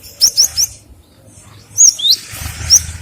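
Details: Gelatik batu, the cinereous tit: a run of three bright, high, evenly spaced notes, a short pause, then more sharp whistled notes, one dipping lower, over a low hum.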